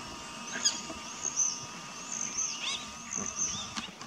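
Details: Rosy starling at Den Burg, Texel, the Netherlands, on 26 October 2024: very high, thin whistled notes in short pairs recur every second or so, mixed with scratchy chatter over a faint steady hum.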